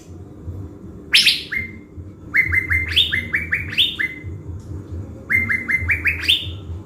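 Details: Blue-winged leafbird, a caged decoy bird from Bình Thuận, Vietnam, readied for trapping in the forest. A harsh opening burst leads into quick runs of rising whistled notes that climb step by step, repeated in two bursts. A faint low hum sits beneath.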